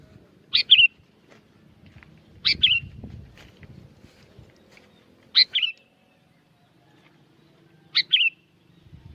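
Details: Sooty-headed bulbul from Curug Agung, Subang, West Java, Indonesia, lively lure song: short bubbly two-part phrases, sharp note then a falling warble, given four times about every two and a half seconds over a faint low rumble.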